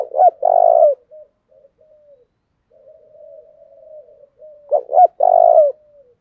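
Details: Spotted dove in a stimulating 'gáy gọi + thúc' call: a full phrase of two quick notes and a long rolling coo, a stretch of soft low notes, then the same phrase repeated about five seconds later.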